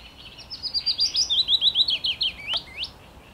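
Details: Willow warbler in song on 17 May 2021, delivering a soft, sweet descending phrase of quickly repeated whistled notes lasting about two and a half seconds, closing with an upward flick, against a quiet background with one click.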